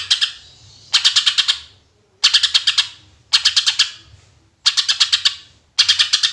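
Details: Greater green leafbird in full, chatty song of the 'tembakan' (shooting) style, used as a lure for other birds: sharp bursts of six or seven rapid, bright, high ticking notes, repeated about once a second with short silent gaps.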